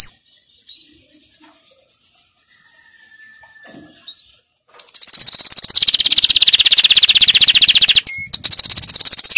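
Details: Canary training song: after a quiet start with faint scattered chirps, a loud fast rolling trill begins and runs on, briefly broken by a clear whistled note near the end.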